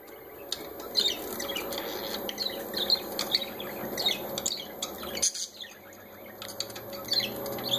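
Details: Parakeets enjoying themselves, giving a steady stream of short, high chirps and squeaky notes. The calls overlap densely and are briefly cut off near the middle. A constant hum runs underneath.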